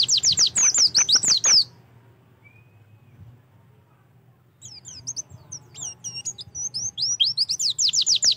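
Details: Oriental white-eye singing as a prompt for another bird to start singing: fast high falling whistles at the start, a quiet gap, then scattered sharp chirps that build into a rapid run of slurred notes.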